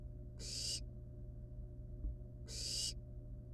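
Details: Barn owl chicks in a wild nest, a live rat brought as prey: two drawn-out, hoarse hisses two seconds apart, a faint tap between them, continuous low hum.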